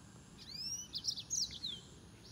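Green singing finch giving a brief, high, canary-like song of quick sweeping whistles and bright trilled notes, over faint background hiss.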